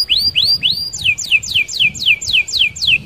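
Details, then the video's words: Canary song used as a lure for other canaries: three rising swept notes followed by about eight clear falling whistles at a quick, steady pace. "SUARA KENARI Gacor Roll Sped Mantap - Cocok Buat Pancingan Kenari Anda."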